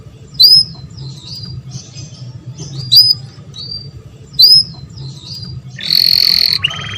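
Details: Canary song played for breeders to encourage mating: three short, high, sharp chirps spaced about two seconds apart, then a brief bright buzzing trill at the end over a quiet low hum.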